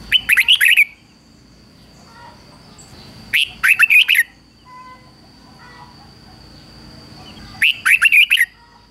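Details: Red-whiskered bulbul decoy bird singing to lure and provoke wild rivals: three bright, warbled phrases about a second long, each a quick run of sharp rising and falling notes, separated by pauses of several seconds, over a steady high whine.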